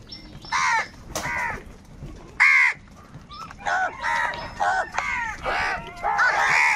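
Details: Crows quarrelling over food, calling in anger: spaced single hoarse caws at first, one especially loud and sharp, then quickening into a busier sequence of overlapping caws from several birds.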